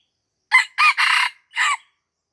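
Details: Red junglefowl from Aceh, lured near houses at Lamteuba, crowing: a short opening note, two longer strained notes run together, a brief pause, then a clipped final note, all within about one and a half seconds against near silence.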